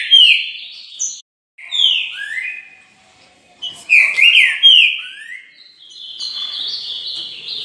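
Loud, rich whistled phrases from a green-winged saltator: slurred notes sliding down, given in bursts with brief pauses, high-pitched and clear.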